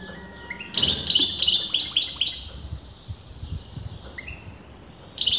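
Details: European goldfinch, male or female disputed among experienced breeders, delivering a rising lead-in note followed by a quick jangling series of chirps, then a thin trailing tone and a fresh burst at the end.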